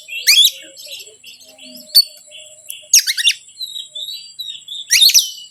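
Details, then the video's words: Oriental magpie-robin song used as a lure to provoke other birds: harsh, buzzy broadband bursts near the start, middle and end, separated by soft scattered whistles, over a steady high electronic-like tone. "PANCINGAN BURUNG KACER YANG SUSAH PANAS 99%EMOSI"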